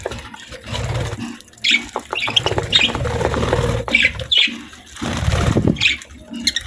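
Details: Several pet budgies eat healthy food, giving short, sharp high chirps every second or so between bouts of low crunching and shuffling.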